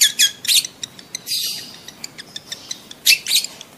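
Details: Breeding-condition lovebird calling to stimulate mating in adult birds: harsh high chattering bursts at the start and end, a drawn-out screechy note in the middle, and regular dry ticks throughout.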